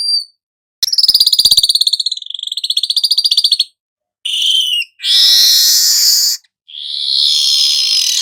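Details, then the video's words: Golden-headed weaver: a fast buzzy trill that slows and wavers, then broad harsh hissing wheezes after a short silence. "suara manyar kepala emas"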